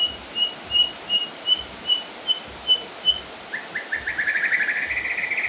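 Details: White-rumped shama song after moult during rain: a row of short even whistled notes about three per second, then a rapid rising stuttered trill, against steady rain noise.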